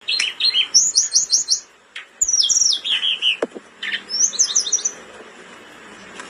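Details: A Blood-breasted flowerpecker in breeding condition sings intensely: fast bursts of very high, thin, ticking notes and short sibilant trills, with brief pauses between phrases.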